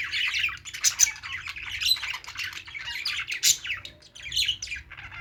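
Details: Budgerigars playing, chattering busily: dense, continuous high chirps, squeaks and short harsh squawks overlapping, with brief louder bursts and almost no pauses.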